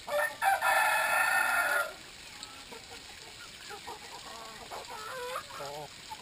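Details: Drinking-time Brahma chickens: a loud, harsh, strained call fills the first two seconds, followed by quieter wavering clucks from the flock.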